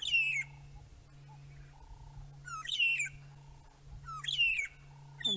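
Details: At Djuma Game Reserve at sunset, June 2017, magpie shrikes give clear, slurred whistles that slide downward, repeated in bursts every one to two seconds, over a constant low hum and faint wind.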